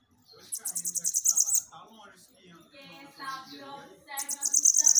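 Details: Bananaquit song for stimulating captive birds: a quick run of high, thin, buzzy notes, then a pause filled with softer mid-pitched sounds, then another high rapid sizzling burst.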